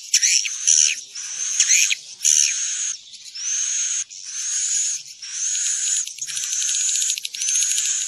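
Swiftlet calls played to draw birds to roost: high, buzzy chirps and rattling trills, each burst about a second long, repeated with short pauses.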